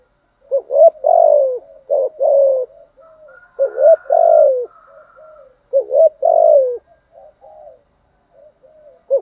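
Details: Spotted dove cooing, used to lure wild doves and to train decoy birds: repeated low, hoarse coo phrases with a stressed middle note, roughly every two seconds, plus softer trailing notes.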